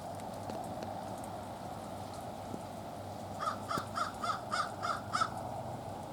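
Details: American crow in a wild family group greeting friends; a rapid series of six short, harsh, evenly spaced caws in the second half, preceded by low rumbling background noise.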